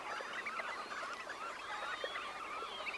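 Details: About 20,000 red knots take off from a high-tide roost, calling at once: a dense continuous chatter of soft, nasal notes over the rushing whirr of thousands of wings.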